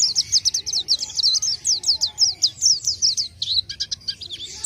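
An Orange-headed Thrush sings a fast, unbroken run of high, sharp chirps and twittered notes, ending in a few varied phrases with a faint low hum beneath.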